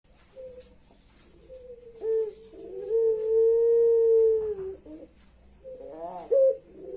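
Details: Puter pelung ringneck dove giving its crying-like call: a long, steady, drawn-out tonal coo that sags slightly at the end, preceded and followed by shorter wavering notes.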